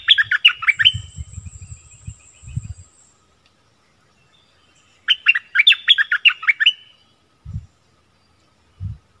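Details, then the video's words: Decoy Streak-eared bulbul singing actively, February 2021: two bursts of rapid, bubbly, downward-slurred notes a few seconds apart, with a thin high whistle from another bird and low knocking sounds between phrases. "เสียงนกดอกแตงEp.32ร้องแบบนี้ นกป่าหายหมด!!! Burung merbah lekir gacor"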